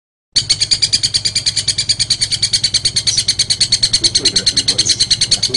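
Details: Long-tailed shrike song used as a training recording for other songbirds: a fast, even run of sharp high chipping notes, roughly three per second, with a steady low hum underneath.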